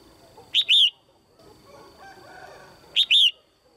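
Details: A caged female red-whiskered bulbul gives her pairing call, meant to excite males: two loud doubled notes, a quick chip and a drawn-out whistled slur, about two and a half seconds apart, with a quiet background hum.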